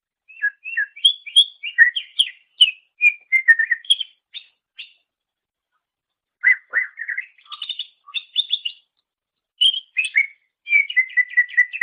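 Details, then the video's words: Greater green leafbird song, meant as a training master for songbirds: bursts of varied whistled and chirping notes, fast and irregular, broken by silent gaps of one to two seconds, ending in a string of repeated slurred whistles. "Masteran Suara Cucak Ijo"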